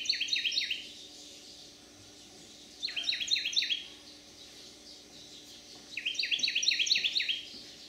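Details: Male Carolina wren, a resident of a Manchester, St. Louis County, Missouri backyard, sings on July 30, 2022 in summer; loud rolling series of quick repeated whistled phrases come in three bursts about three seconds apart over a low hum.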